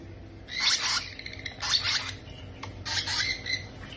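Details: Young parrots fed by hand, making softer scratchy begging squawks, three grating bursts in four seconds with throaty buzzing undertones and low background noise between them.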